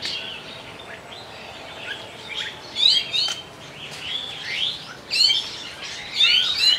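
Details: Oriental magpie-robin singing its breeding song outdoors: loose groups of varied whistled phrases with sharp rising slurs and high chirps, coming in bursts with quieter gaps, over steady background noise.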